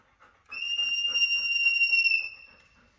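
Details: Indoor pet parrot, companion of a golden retriever, holds one clear, steady, high whistle for nearly two seconds over soft room chatter.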